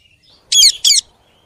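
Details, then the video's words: Ringneck parrot giving two loud, shrill, raspy screeches about a third of a second apart, with near silence before and after. "Parrot Talking and Making Sounds"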